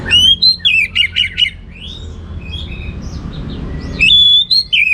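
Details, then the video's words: Orange-headed thrush singing a rich, varied phrase of quick whistled and chirped notes, a quieter stretch of soft notes, then a fresh whistled burst. "Suara Gacor Burung Anis Merah Teler Materi Melimpah"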